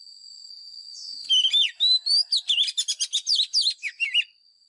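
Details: Oriental magpie-robin used as a decoy bird, giving a fighting song for voice training of caged birds: a rapid run of sweet, varied whistles and slurred notes lasting about three seconds, over a steady high-pitched whine.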